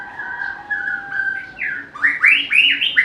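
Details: Steady, level whistled tones from a White-rumped shama give way to a burst of loud rising slurs in quick succession.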